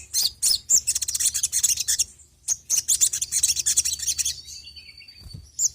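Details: Sogon sunbird lure recording: a dense run of rapid, high, scratchy chattering notes in bursts, then a thin sustained high whistle and a final chip.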